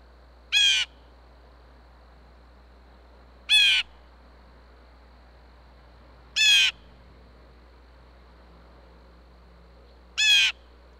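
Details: At a Minnesota, USA bird feeder, a blue jay announces food to other blue jays with four harsh, rasping jeers, each short and spaced about three seconds apart. Otherwise the background is quiet.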